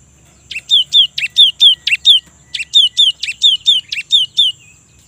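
A Cinereous Tit sings bright, ringing two-note phrases in quick succession, about a dozen notes in two bursts, over a faint low hum.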